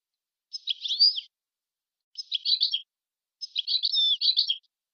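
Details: European goldfinch song, offered as pure song for teaching songbirds: three bright, twittering high phrases, each under a second and full of quick buzzy and tinkling notes, separated by short silences. Clean, with no background sound.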